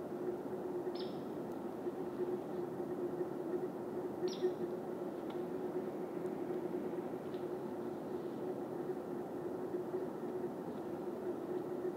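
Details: A steady low mechanical hum, like an engine or ventilation, fills the recording, with only two faint high ticks and no clear animal call.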